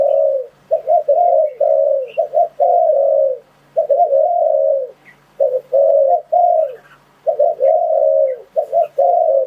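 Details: Lure cooing of a spotted dove, used for trapping wild doves. Clusters of soft, low coos come in short groups separated by pauses of about a second. Each group ends in a longer drawn-out note.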